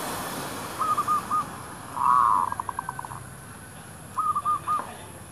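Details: Zebra dove near a shop area, decoy bird luring wild doves: a four-note phrase, a loud rolling trill with rapid staccato notes, and another four-note phrase, all at even mid pitch.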